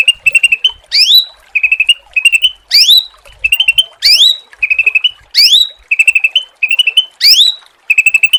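A cucak ranting repeats a fast phrase about once a second: a quick run of four or five bright, clipped notes ending in a sharp rising, ringing sweep. No other sounds.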